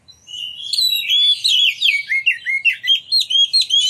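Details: Lively Oriental magpie-robin in full song, delivered loudly to provoke other magpie-robins into singing and tail display; rich warbling phrases slide into rapid, evenly spaced whistled notes about two or three per second.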